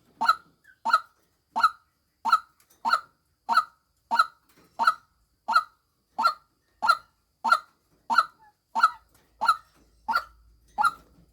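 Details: Female white-breasted waterhen calling: a steady series of short, hoarse, honking notes, about eighteen in eleven seconds, repeated roughly every two-thirds of a second with even loudness; no other clear sounds.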